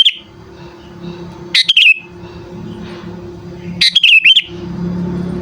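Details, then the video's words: Sooty-headed bulbul giving a lure call meant to draw birds in: short, sweet warbled phrases repeated a few seconds apart over a steady low hum. "Suara Burung Kutilang Memanggil Sekali Dengar Langsung Ikutan Bunyi"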